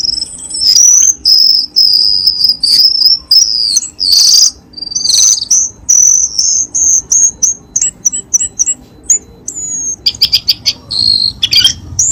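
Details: Lure sound of the cucak keling, meant to prompt kept birds to sing: strings of high, thin whistles run together at first, then break into rapid clipped chirps and quick ticking bursts toward the end.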